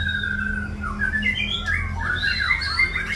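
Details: Brief burst of white-rumped shama song in the masteran full isian style: a held whistle, then quick sliding and warbled notes climbing and dipping, set against a low droning hum.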